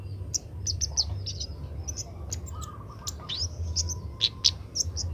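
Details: Young Oriental magpie-robin practising its song while being trained: rapid high chirps and twittering notes with one rising slurred whistle, over a brief lower buzz and low rumble.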